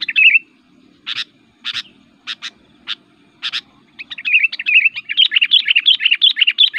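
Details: Sooty-headed bulbul (Pycnonotus aurigaster) fighting song to provoke rival bulbuls and lure them in the forest: a few bright, separate chirps, then a fast, bubbling, continuous warble of mid-high notes over a faint low hum.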